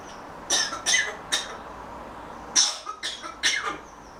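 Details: Grey Parrot kept as a pet, murmuring softly before a nap: a run of quiet dry clicks and scratchy chirps in two loose bursts, separated by a short pause, in an otherwise quiet room.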